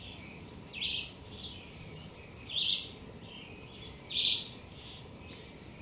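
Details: Blue-winged parrotlets feeding on hibiscus leaves in a garden give high, thin chirps and short twittering bursts, several overlapping at an irregular pace, over a steady background hiss.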